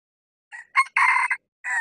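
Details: A male junglefowl decoy, crowing in bamboo forest on a mountain summit to draw in wild red junglefowl, gives a brief first note and a sharp rising second note. A long harsh phrase follows, then a short abrupt last note.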